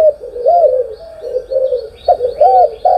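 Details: Spotted dove in the morning giving a short series of low, rounded coos, each note swelling and falling, ending with two louder emphatic hoots.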